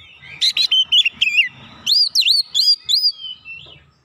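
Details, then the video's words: Oriental magpie-robin song played to provoke rivals: rapid, varied high whistles and sharp chirps in two quick bursts, with swooping and slurred phrases, fading toward the end. "SEKALI PANCING KACER LAWAN LANGSUNG NGOTOT NAIK EMOSI"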